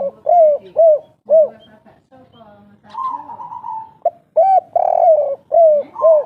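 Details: Native "kuk 3" style cooing of an old spotted dove from the forest. Deep arched hoots repeat about every half second, broken by a softer sustained coo before the rapid hooting resumes.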